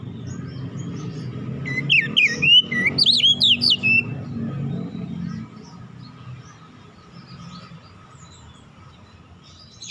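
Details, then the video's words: Oriental magpie-robin relaxed lure song for untrained birds: about two seconds of quick, looping whistled notes over a steady low hum, followed by only background noise. "kicauan nyantai pancingan ampuh Kacer bahan cepat gacor"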